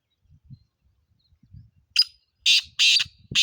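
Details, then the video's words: Black francolin giving loud harsh grating call notes in a rapid burst of four, each a rasping squawk, with soft low thumps before them. "black partridge Amazing sounds"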